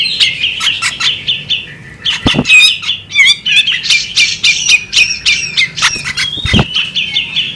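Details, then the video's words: Female bearded magpie robin calling: a long, uneven flow of bright chirps, squeaky slides and rattling notes, interrupted by two brief low thuds. "the alluring sound of a female bearded magpie robin"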